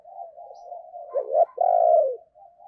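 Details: Decoy spotted dove cooing to lure wild doves: a steady soft hum-like coo running into a sharp accented note and a long, loud, slightly falling coo.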